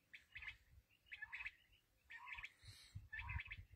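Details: Black francolin (kala teetar) producing rapid scratchy phrases, four bursts within a few seconds, each a rough upper chatter over a lower buzzy note, with low handling rumble beneath.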